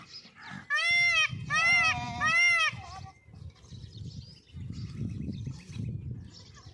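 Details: White peafowl during its display dance: three loud, wailing, richly harmonic calls in quick succession, each arching up then down, over about two seconds, followed by low rustling and rumbling background noise.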